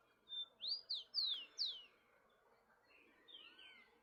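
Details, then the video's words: Rufous-collared sparrow singing in the wild: a thin whistled opening note leads into four loud, sweeping slurred whistles, then a quieter trailing phrase of soft descending notes, with a calm natural background. "Tico Tico Cantando Solto na Natureza"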